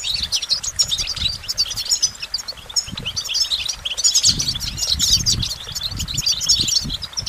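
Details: Dense, continuous goldfinch twittering, with jingling trills building in intensity midway, over intermittent low rumbles.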